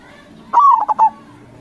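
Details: Local zebra dove singing in the crossing style, used as a lure to draw replies from other zebra doves: one cooing phrase, a drawn-out sliding note followed by three short, clipped coos, over a quiet background hum.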